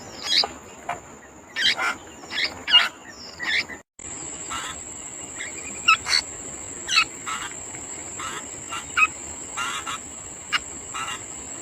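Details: Sooty-headed bulbul parent feeding its young; scattered harsh, buzzy broadband bursts mixed with short sharp chirps at irregular intervals, with a steady high whine throughout.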